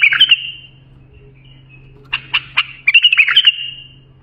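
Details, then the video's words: Training song of a bulbul for young birds: an opening liquid warble, a quiet pause, three crisp separate notes, then another rich warbled phrase that fades out. "بلبل للساناته إبداع يفيد للتخريج صغار بلابل"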